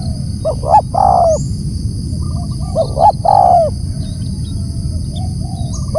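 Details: Loud calling of a spotted dove, heard as two phrases of paired short notes, each followed by a drawn-out, gently falling coo, set over a low background hum.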